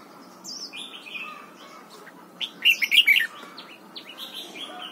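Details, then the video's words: A red-whiskered bulbul, an old wild-caught bird, sings in the morning during voice training, giving bright, liquid whistled double-note phrases with a quick burst of rich notes mid-way amid softer chirps, over a faint hiss. "chào mào hót sáng, ép chào mào hót âm kép già rừng"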